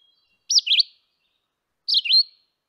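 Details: Red-eyed Vireo song, typical of summer treetops in lower-elevation deciduous forest: two short, high, slurred phrases, each under half a second and rising and falling, with a pause of over a second between them.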